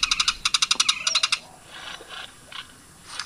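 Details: Great-tailed grackle (Quiscalus mexicanus) song: a fast, dry run of about a dozen clicks in just over a second, then harsh, scratchy notes and a brief rising whistle.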